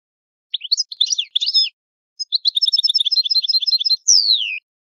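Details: European goldfinch of Italy in its old-fashioned 'vecchio canto' song: a jumbled twittering phrase, a brief pause, then an even rattling trill of repeated notes finishing with a long downward-gliding whistle.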